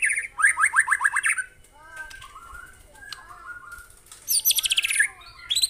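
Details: White-rumped shama song recorded from real birds to train caged birds: a burst of quick rising whistles, softer low warbled notes in the middle, then a high ringing rapid trill and a final sharp phrase.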